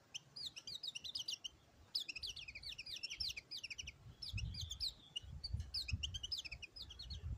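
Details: White-eye singing bursts of rapid, high, thin twittering notes in tumbling phrases separated by short pauses, over low rumbling background noise.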